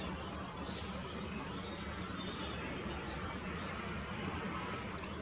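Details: Male rock bunting holding a grasshopper on the Apolloweg at Valwig in the Moselle valley gives thin, high, sharp 'zip' calls: a few quick notes, then single ones every couple of seconds, over a soft steady hiss.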